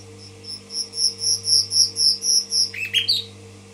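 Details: In Tashkent, a common nightingale sings about ten evenly repeated high piping notes, then ends with quick tumbling descending chirps; a faint electrical hum runs throughout.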